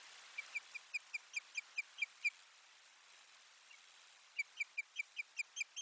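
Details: Osprey at its nest in Finland on 1 May 2020, while soft bedding is carried in: a long run of short whistled notes repeated rapidly, pausing for about two seconds, then resuming in another fast series. Light wind hiss underneath.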